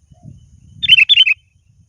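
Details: A rival-calling sooty-headed bulbul gives one bubbly phrase of several liquid whistled notes over a soft low rumble.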